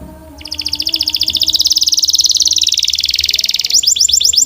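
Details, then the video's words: Canary delivering a sustained rapid trill of high repeated notes, shifting into faster sweeping notes at the end, with a faint low hum underneath. "Relax with the Most Popular Canary Singing - Beautiful Melody"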